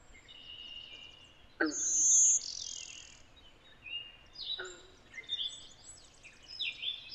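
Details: Blue-winged warbler (Vermivora cyanoptera) in Connecticut, where it interbreeds with Golden-winged Warblers, gives one buzzy two-part song: a high, thin insect-like note, then a lower, rougher buzz; softer chirps from other birds follow over light hiss.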